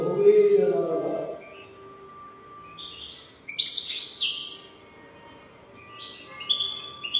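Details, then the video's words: European goldfinch song of the 'golden throat' style, recorded for teaching young goldfinches; a low humming sound opens the clip, then bright high twittering notes and short buzzy bursts follow in two spaced phrases. "تغريد رهيب طائر الحسون حنجورة دهبية لتعليم طيور الحسون"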